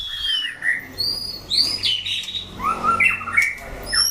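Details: White-rumped shama in a 'chảo lửa' fighting trial: clear whistled phrases, upslurred and downslurred notes spaced about half a second apart, some very high thin whistles mixed with lower fluty ones.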